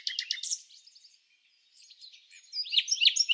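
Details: Red-backed fairy-wrens interacting during the non-breeding season, Samsonvale, Australia; a quick burst of high sharp notes fades into soft twitters, a near-silent gap, then loud excited chattering.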